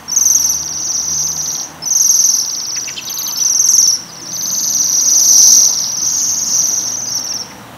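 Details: High metallic trilling from Waxwings feeding on several coloured rowan berries, delivered in four loud bursts about two seconds apart, the last one longest.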